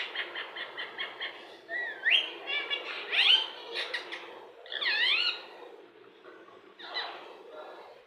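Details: Indian ringneck parakeet imitating human words indoors: a run of rapid clipped syllables, then varied rising, swooping and wavering speech-like phrases with short pauses between them.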